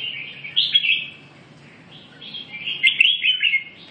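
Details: Two chirpy, liquid warbled phrases from a red-whiskered bulbul, separated by a short gap. The second phrase is longer and more excited, with rapid up-and-down notes.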